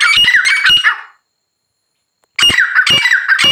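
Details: Grey francolin giving two loud bursts of harsh, ringing calls, each about a second long, separated by a silent gap.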